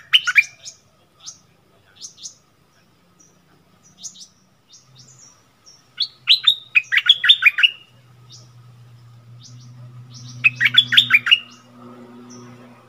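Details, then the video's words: Bulbul dueling with a wild bird that quarrels back, March 2021; scattered short chirps, then two dense bursts of quick warbled notes, with a low steady hum underneath toward the end. "เสียงต่อนกดอกแตงEp.39 เปิดดอกดวลเดือดกับนกป่า Burung merbah lekir"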